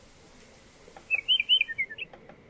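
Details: Western Meadowlark (Sturnella neglecta) sings a rich, flute-like phrase of about a second, bubbling downward into a jumbled warble over a quiet background.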